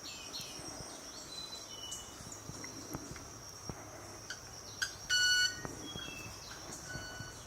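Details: Club-winged Manakin in South America, courting females: two quick ticks, then a short, loud, violin-like ringing note made by rubbing its wing feathers, with soft forest insects and distant birds behind.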